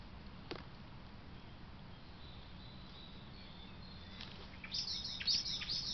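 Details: Common blackbird (Turdus merula) alarm at a badger darting back into its sett: after several seconds of quiet hiss and low hum, a loud burst of sharp, high, rapid chinking alarm notes; Common blackbird.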